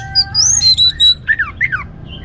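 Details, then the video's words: Orange-headed thrush singing to encourage other birds to sing; clear high whistled notes, some rising and some steady, followed by slurred downward-swooping notes. "ANIS MERAH Gacor Untuk Memancing Burung Jadi NGeplong Bahkan Teler"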